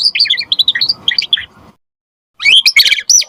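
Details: Brief burst of lively white-rumped shama song, used to spur other shamas to sing and as song tutoring: a quick string of bright chirps, then a second of silence, then a dense cluster of high, sharp notes.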